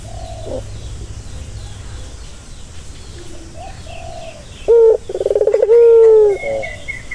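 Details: Turtle dove call used to calm a stressed dove. Quiet scattered chirps open the recording, then one loud coo: a brief note, a quick rippling trill and a long level coo. A high thin whistle comes at the end.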